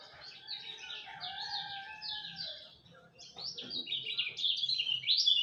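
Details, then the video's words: A lemon-bellied white-eye sings at dawn, its high rapid warble starting softly over steady background tones and low hum, then growing louder and brighter toward the end. "Kicau Joss Kecial Kuning Subuh"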